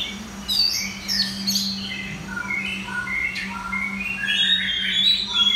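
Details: Red-whiskered bulbul competing in a singing contest in central Vietnam: a lively run of short chirpy whistles and warbled notes, rising and falling and closely spaced, with a constant low hum underneath.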